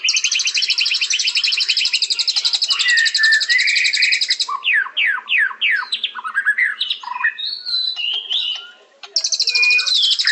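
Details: Long, rapid, high trill from a white-rumped shama lasting over four seconds, followed by a series of sweeping downward whistles and mixed chatter, then the trill returns.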